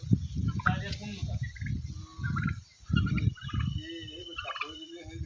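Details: Very big farmed turkeys in Golaghat, Assam, kept alongside local birds, giving rapid, rattling gobbles in short bursts, with higher nasal calls between them and a person talking nearby.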